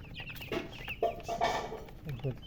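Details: Thirsty coloured poultry chicks calling for drinking water: scattered high descending peeps mixed with louder low thumps and knocks, with a person talking nearby at the end.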